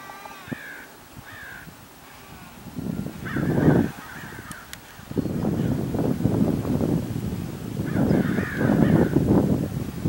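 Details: A Common Raven at Paramount Ranch, Santa Monica Mountains, California, on 28 January 2021, gives deep, harsh, rasping croaks in rough bursts with quieter gaps and a few thin, higher drawn-out notes early on; a red-tailed hawk circles overhead.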